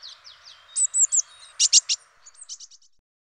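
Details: A Eurasian blue tit (Cyanistes caeruleus) singing, from a French garden-birds recording: thin, very high notes, a few sharp emphatic ones, then a quick run of fading, slightly descending notes.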